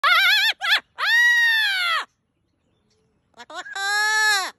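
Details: A parrot mimics a kitten's meow and a chicken's clucking: a wavering, meow-like cry, then long nasal calls with rich harmonics, separated by a short silence.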